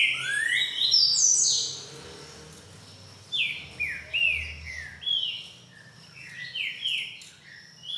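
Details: Green-winged saltator of the boiadeiro song type, singing a series of clear whistled notes, some rising and some falling, loud at first, then softer phrases in quick succession with a pause between.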